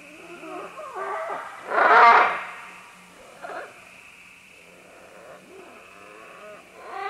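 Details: Several green-winged macaws descending along vines, recorded at medium-close range: one loud, harsh, rasping squawk near the middle, with softer grating calls from other birds before and after and a steady hum beneath.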